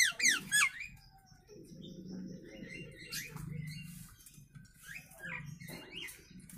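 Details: Natural calls of a Nias hill myna kept as a master recording for teaching birds: loud sharp downslurred whistles at the start, then soft murmuring harmonic notes and scattered rising whistles.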